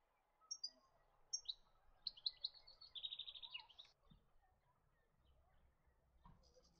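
European goldfinch giving bright, tinkling high notes, a few separate chips followed by a quick liquid twittering run, over faint background hiss.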